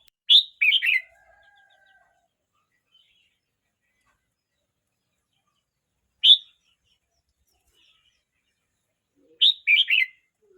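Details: Red-whiskered bulbul, young at 12 months 29 days, repeats brief bright warbled phrases of two or three slurred notes. A single clipped note comes between them, with long silent pauses.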